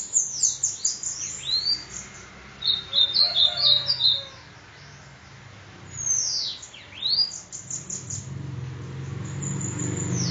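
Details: Sibite from Parnamirim, Rio Grande do Norte. High swooping whistles and a rapid buzzy trill of clustered notes, then more down-sweeping phrases, with low rumbling background noise toward the end.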